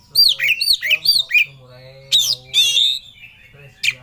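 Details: Kacer or Oriental magpie-robin, caged, singing full of emotion as if searching for a rival; four quick repeated looping whistled notes, then loud harsh buzzy phrases, with a steady low hum underneath.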